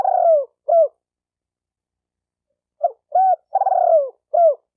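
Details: A spotted dove coos in a call for training a newly caught dove: a drawn-out burry falling note and a looped coo, then a pause and a full phrase of short coo, looped coo, long descending burr and closing coo.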